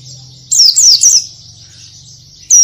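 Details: Oriental white-eye in a full-variation tutor recording, giving three or four high, downslurred whistled notes in quick succession, then a short silence and one more clipped note.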